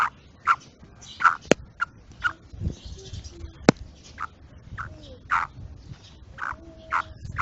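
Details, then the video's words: A female black francolin (Kala Teetar) gives short, harsh, mid-pitched notes about once a second, with a couple of sharp clicks and faint background noise. "Kala Teetar Madi ki awaz Kala Teetar Female Voice کالا تیتر مادی کی آواز"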